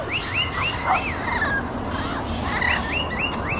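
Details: Wild lorikeets in Nanango town, South Burnett, chatter as a flock, giving quick arched chirps, several overlapping each second, over a low background hum.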